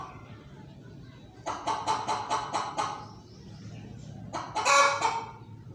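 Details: Hen clucking: a run of five or six rapid, evenly spaced clucks, then a pause and a louder, harsher burst of squawking clucks near the end.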